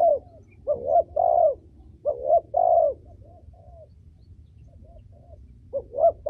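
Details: Female spotted dove coo, kept for training young birds and stimulating others: several soft, low double-noted coos, then a quiet pause and a last short pair.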